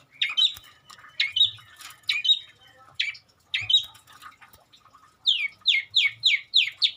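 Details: Long-tailed shrike song mixed with mimicry of many birds: varied harsh chirps and squawky notes, then a fast run of six rapid downslurred buzzy notes near the end.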